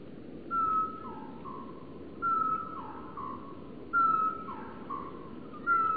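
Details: Male great tit singing in early spring sunshine on 25 February 2014, repeating a clear whistled phrase, a long level note then two lower notes, about every two seconds over a soft background hiss.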